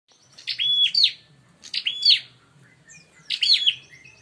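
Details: Bar-winged prinia calls used as a lure to provoke fighting: three bursts of sharp, buzzy chirps, each holding a flat whistled note, about 1.3 seconds apart, with a faint low hum beneath.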